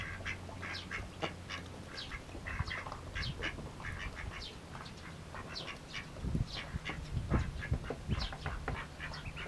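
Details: Mallard ducklings feeding eagerly; many short high peeps and chirps repeated rapidly throughout, with low dabbling and splashing noises beneath.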